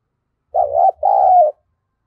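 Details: One mellow two-part coo from a decoy spotted dove, used for luring wild birds, sung in the thổ voice. A short wobbling note comes first, then a drawn-out hoot that dips slightly. A faint low rumble sits underneath.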